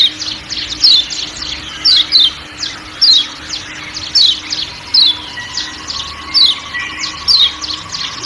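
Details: Repeated thin downward-sweeping chirps of a kecial kuning from Lombok, sometimes paired, set against continuous forest background noise and a low steady hum.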